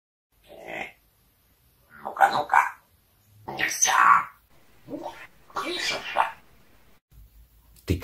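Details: A pet parrot talks with its owner in short, raspy, word-like bursts of mimicked Russian speech, including swearing, trading phrases with the owner's voice over about eight seconds.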